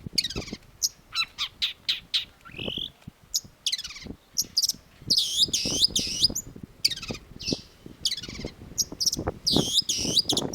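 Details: Energetic Long-tailed shrike song: quick sharp chips and short buzzy slides, then loud repeated arching high notes in bursts, over steady low tapping and knocking noise.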